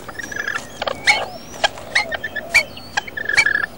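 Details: Wild rainbow lorikeets nesting in a house roof: a female incubating eggs begs as the male arrives to feed her. Squeaky, harmonic chittering notes come in quick uneven bursts, with short buzzy rasps between them.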